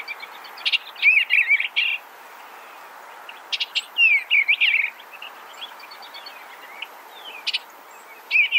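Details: Eastern Bluebird repeating soft warbled phrases about every two and a half seconds, each a cluster of slurred, gliding notes introduced by sharp high chips, with quiet gaps between.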